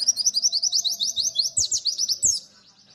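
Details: Pleci, the white-eye, delivering a fast 'nembak' run: a tight string of thin, high slurred notes, about eight a second, closing with a sharp upward flick, then quiet, with a low hum underneath.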